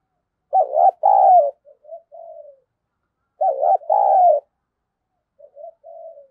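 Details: Decoy spotted dove calling to stir up a fight. Two loud, deep, two-part coos come about three seconds apart, each trailing into soft, broken low notes.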